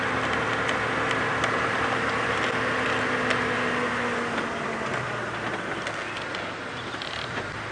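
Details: A vehicle engine drones steadily with a humming tone and scattered ticks and rattles, without any clear animal calls.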